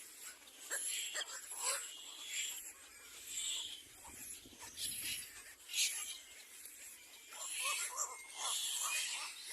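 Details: Little black cormorants, in a scene of an adult attacking its own young, give harsh, rasping squeals and croaks in ragged bursts every second or so, several birds calling over one another.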